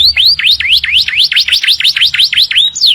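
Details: Canary song in the morning: a rapid run of clear whistled notes sweeping down then up, about four per second, ending in a bright high note.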